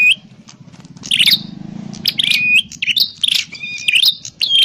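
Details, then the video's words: Trapping lure of a prinia: after a quiet start, loud bursts of chirpy buzzing notes with short whistled endings come in quick succession; a low hum runs throughout. "Suwara Burung Prenjak_klawu Buwat_Mikat"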